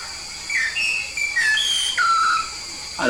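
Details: Whistled song of a yellow-faced myna from Papua in lively voice: a string of short level and down-slurred whistles, one stepping higher mid-clip before a long falling note, with a constant background hum and a click at the end.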